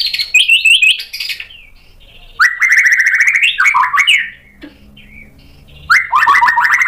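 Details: White-rumped shama provoked into singing: rapid warbled trills, then a longer run of buzzy undulating phrases dipping lower, a pause, and another fast trill.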